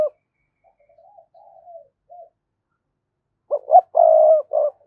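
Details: Cooing of a spotted dove meant to attract rival males to fight. Quiet, drawn-out gurgling coos come first, then one loud phrase: two short rising notes, a long level hoarse coo and a brief final note.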